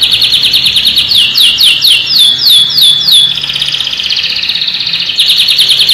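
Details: Canary tutor song, played so young canaries learn to sing: rapid series of bright, downward-sweeping whistled notes repeated about three per second, then a buzzy sustained trill before the sweeping phrase returns.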